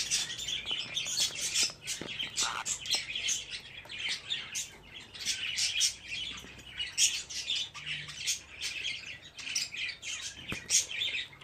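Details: Fifteen budgerigar chicks gathered in one place keep up a dense, continuous chatter of high, scratchy chirps and squawks, overlapping without pause throughout.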